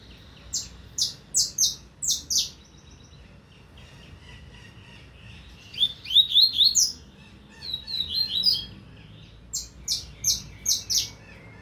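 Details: Double-collared seedeater from the 2025 season singing: bursts of sharp, high, descending notes, then a quick run of buzzy rising slurs midway, and a final string of clipped high notes after a pause.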